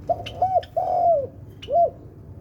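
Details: Melodious spotted dove song made of mellow low coos. A few short rounded notes lead into one long, slowly falling drawn-out coo, then a single final coo. Faint clicks sound in the background.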